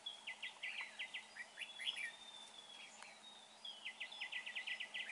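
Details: Red-whiskered bulbul, during trapping, described as a fine singer: rows of short, rapid, repeated chips in stuttering runs, a thin drawn-out whistle in the middle, and a steady faint hum.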